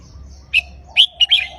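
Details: Short counted-phrase phrase from a red-whiskered bulbul. Four clear, loud whistled notes come within about a second, the last ones slurring downward. A faint low hum sits in the background.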